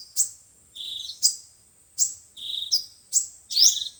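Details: Sunbird song of the types locally called five-colour and seven-colour sunbirds, used as speaker playback to lure birds for trapping: sharp high chips alternating with short descending buzzy warbles, repeated roughly every second, in a clean recording.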